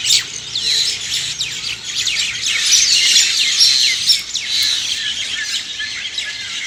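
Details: Early-morning birdsong: many birds chirp at once with bright, sweeping whistled notes and rapid tweets in a continuous high chorus that swells and fades, with no other clear sounds.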